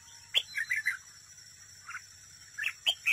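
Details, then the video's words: Red-whiskered bulbul kept as a caged trap decoy, singing in competition: bubbly, slurred warbled phrases in short bursts, with sharp clicks between them and a constant high-pitched hum behind. "chào mào mồi đấu bẫy, hót đấu"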